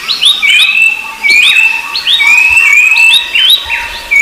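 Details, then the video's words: Rufous-browed babbler calls: drawn-out thin whistles climbing gently, about one each second, overlapping quick hooked chirps from other birds. A faint steady hum persists throughout. "Suara Burung Berisik || Pelanduk Semak & Pelanduk Topi Hitam"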